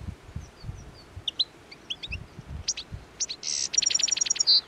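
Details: Hungry European goldfinches devouring plane tree seeds in midwinter at the Anapodaris river, 17 January 2021: bursts of high twittering, tinkling calls, a buzzy rattle and a rapid run of ticking notes, with low rustling beneath.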